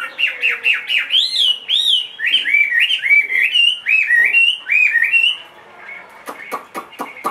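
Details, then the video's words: Large, caged Chinese hwamei aged two and a half, praised for singing in any surroundings. It gives bright whistled phrases, each an up-and-down swoop, repeated roughly every half second, then falls quiet before several sharp clicks. "HM 450 hót mọi địa hình bộ to 2,5 tuổi lồng"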